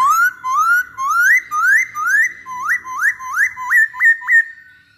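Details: Masked laughingthrush used as a lure song: a rapid series of about eleven loud whistles rising from low to high. The notes grow shorter and sharper toward the end, over a quiet background.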